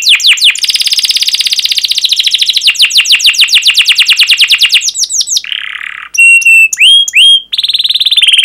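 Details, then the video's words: Canary singing a long 'cuit cuit' rolling song meant to provoke other canaries to answer: a fast, steady trill of repeated downswept notes, then a brief buzzy note and clipped whistles leading into another trill. "PANCINGAN Kenari GACOR PANJANG Cuit CUIT EMOSI ini AMPUH utk MASTERAN Kenari PAUD belajar BUNYI"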